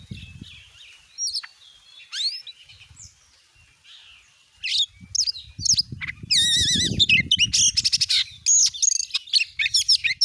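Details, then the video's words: Oriental magpie-robin singing as a lure for a kept bird: soft slurred whistles build into loud, dense wavering trills and quick rattles, over low knocking and handling noise. "jadikan burung Kacer anda cepat gacor dengan pancingan burung Kacer ini"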